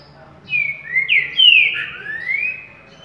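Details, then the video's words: Green-winged saltator in the currucutil boi song style, heard at waking: loud clear whistled notes, some slurred downward and others sweeping up, forming one flowing phrase of about five notes. "#TrincaFerro CURRUCUTIL BOI"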